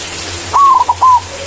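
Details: White zebra dove singing in manggung style as a lure to call rivals: a long wavering coo, two brief notes, and a closing sustained coo, with a low steady hum underneath.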